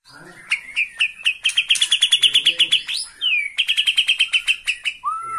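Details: Bornean white-rumped shama singing excitedly, perched in one spot at the sight of a rival: fast runs of sharp repeated notes in a steady pulse, then a rising slurred whistle and a final clear downslurred whistle.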